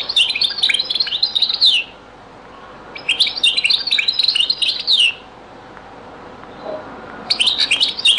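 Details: Goldfinch song of the Beni Messous 'les avocats' (zaboka) school, very old recording: three rapid twittering phrases of about two seconds each, sparkling high notes and buzzes, separated by near-silent gaps with faint hiss.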